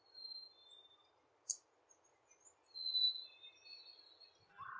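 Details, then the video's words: A Black-capped Chickadee gives its clear, high two-note "you hoo" whistled song, the second note slightly lower, repeated a few times at a beaver pond in late spring, over a steady low chorus of frogs or insects. "The whistle-like call is the song of a Black capped chickadee."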